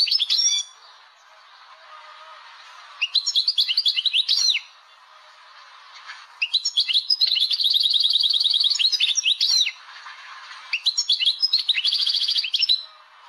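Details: An Algerian European goldfinch sings bright, tinkling twitters in bursts a few seconds apart, one phrase breaking into a rapid liquid trill, against a quiet background.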